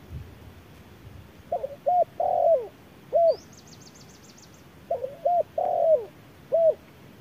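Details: Spotted dove contesting an electronic decoy at midday under harsh sun, beak opened wide: mellow coos in two phrases, each a quick pair of short notes, a longer drawn-out coo and a final note. A thin high trill sounds between the phrases.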